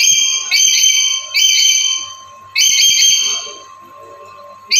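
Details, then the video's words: Black-capped lory used as a lure master: three loud, harsh, buzzy screeches in quick succession, the last cut short, with a faint steady hum underneath. "Suaranya Bikin Nuri Lain Langsung Gacor"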